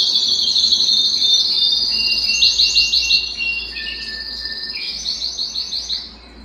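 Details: Canary singing while excited to mate: long high whistled tones and rapid trills, then a lower steady whistle and softer trill phrases fading out.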